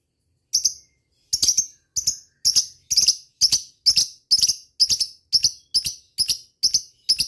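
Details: Lovebird calling to rival birds in the ngetik style: sharp, high, clipped chirps, often doubled, repeated roughly every half second in a steady series against a quiet background.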